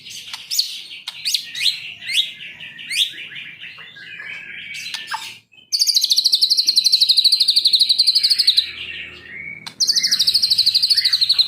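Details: White-rumped shama, Medan type, kept by an owner and expected to imitate: a string of quick sweeping chirps, then loud long rapid high trills repeated after a short pause.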